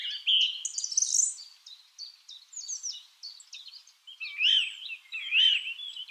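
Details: Several lovebirds keep up continuous high chirping and squeaky twittering, with scratchy rising and falling notes overlapping. Louder harsh squawks come near the start and again toward the end.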